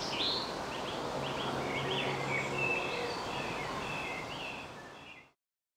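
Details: Darwin's rhea chicks, five hatched on 31 May 2015 at a zoo in Edinburgh, give thin, high, slurred peeps, several overlapping in quick succession, over a steady background hiss.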